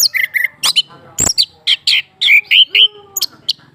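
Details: Male orange-headed thrush in a cage, a female placed beneath him, sings a run of clear, ringing whistled notes, some downslurred and some rising, with sharp clicks and a lower drawn-out whistle near the end.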